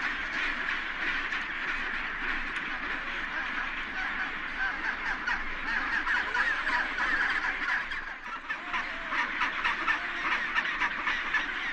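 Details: Many penguins together, males sitting on eggs, produce an unbroken chorus of overlapping brassy, honking calls that swells slightly and dips briefly near the middle before resuming.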